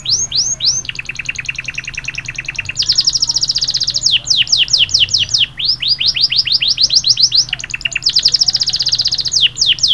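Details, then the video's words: Yellow canary singing in P. Town, Trinidad: long bright rolling trills of rapid repeated notes, switching between faster and slower tours with sweeping whistles, over a low steady hum. "Yellow singing canary from P.Town,Trinidad"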